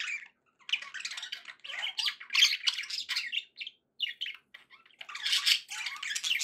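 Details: Budgies kept as pets chatter busily: grating, buzzy warble with squeaks and clicks, a brief lull, then a loud rush of overlapping chirps near the end.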